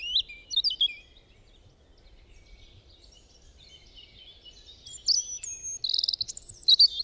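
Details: A bird, said to make many different kinds of sounds: a few sharp high chirps, a quiet pause, then a louder, faster string of whistled and buzzy notes that build toward the end.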